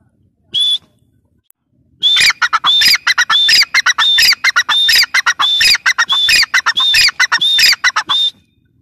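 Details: Female grey francolin (teetar) calling: after a single short note, a loud run of harsh repeated phrases, each opening with a clear high whistled note followed by rapid scratchy squawking bursts, repeated roughly every half second.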